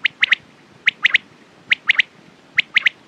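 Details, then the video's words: Clean, evenly spaced quail triplets: three sharp high notes in quick succession, repeated four times in just over three seconds over faint hiss. "Quails sound best sounds use morning and night time mast awaz saaf awaz"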